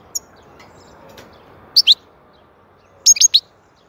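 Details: European goldfinch in soothing song: a double high chirp followed about a second later by a rapid run of four bright, tinkling notes, with near silence around them.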